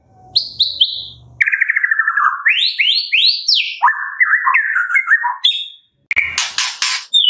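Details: White-rumped shama song played to prompt captive birds to sing: rapid, varied whistled phrases, with short high notes, falling slurs and bursts of rising notes, then buzzy notes after a brief break.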